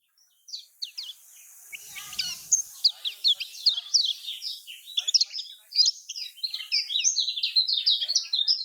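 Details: Lemon-bellied white-eye from Lombok, recorded as a prompt to make caged birds sing: a brief noisy thump early on, then a busy, accelerating series of high chips and twitters with steady background hiss.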